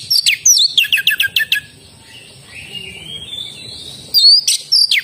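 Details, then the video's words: Oriental magpie-robin song opening with a fast string of sharp descending chirps, then a long soft rising whistle, ending in loud sweeping notes; a faint high steady hum underneath. "suara burung kacer gacor"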